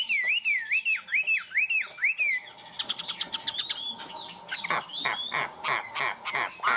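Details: Tame caged Chinese hwamei in full song: a run of rolling, wavy whistles repeated rapidly for two seconds, followed by rapid dry clicks and chattering notes mixed with fainter whistles.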